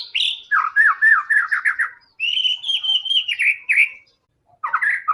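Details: Vigorous white-rumped shama song used to stimulate other shamas to sing: a fast rattling series of looped whistles, then a long bright warbling whistle with ripples, and a final short chattery burst.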